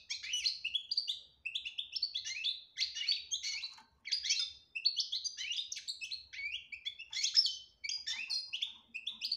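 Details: European goldfinch delivering clear "batbata" chatter, used to coax a silent goldfinch into singing. Continuous liquid twittering comes in repeated phrases of about a second each, bright and metallic throughout.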